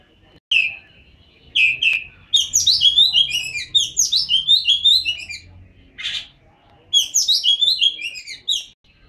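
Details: Caged Oriental magpie-robin singing actively: bursts of bright, varied whistled notes, first steady high whistles then rapid tumbling descending phrases, with pauses between bursts and a soft low hum beneath.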